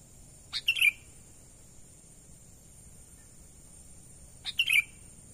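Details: Natural call of a sooty-headed bulbul for luring wild birds: two matching phrases nearly four seconds apart, each starting with a sharp high note and ending in a bubbly, downward-sliding chatter, with a thin constant whine underneath.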